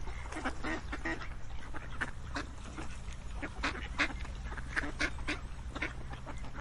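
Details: A crowd of ducks gives loud, abrupt quacks, some sharp and high, others hoarse, in an irregular stream with a deep constant rumble below.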